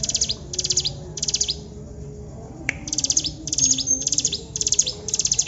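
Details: Mountain prinia delivering repeated high, buzzy trilled bursts in quick succession, broken by a short gap midway, with a constant low hum behind.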